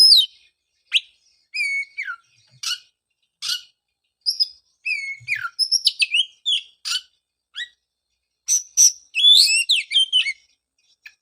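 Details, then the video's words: Oriental magpie-robin song as a lure to restart a bird after moulting: varied whistles, downslurs and sharp clicks, growing denser into a fast, jumbled run of bright whistled notes near the end. "pancingan suara untuk terapi burung kacer"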